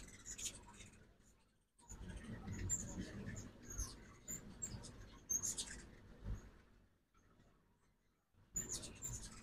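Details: Ruby-throated hummingbirds at a backyard feeder in Oxford, Mississippi, on a fall migration morning; scattered high, thin chips and squeaky twitters in short bursts over low rumbling background noise, with brief quiet gaps.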